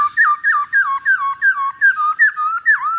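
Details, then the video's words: Masked laughingthrush, used as a stimulus song. About ten loud, ringing whistled notes, each sliding downward with a hooked end, repeated steadily roughly three per second in a quiet room. "Pancingan Poksay Hongkong"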